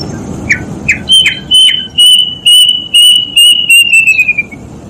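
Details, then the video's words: Kedasih, the plaintive cuckoo, calling: a few short falling notes lead into a run of clear whistled notes in quick succession, gradually descending in pitch over about three seconds. "SUARA BURUNG KEDASIH"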